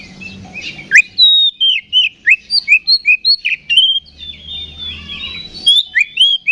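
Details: Oriental magpie-robin singing to provoke a fighting response in other magpie-robins; steady sequence of loud slurred whistles and chirps, with faint low humming in the background.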